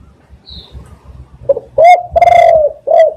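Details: Spotted dove coo, used as a decoy lure for catching doves: a short soft note, then loud hoarse cooing notes with one long drawn-out middle coo and a final clipped coo. A faint high chirp from another bird comes early.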